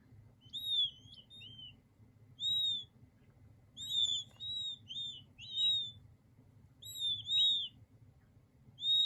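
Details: Young king quail chicks give clear, high whistled peeps, single or in quick doubles and triples, some notes sliding down at the end, repeated in bursts roughly every one to two seconds above a soft steady hum.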